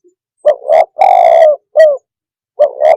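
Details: Loud cooing of a spotted dove, known as tekukur, used to provoke other birds: a two-part opening coo, a long rolling coo, a short falling note, then the phrase starting again.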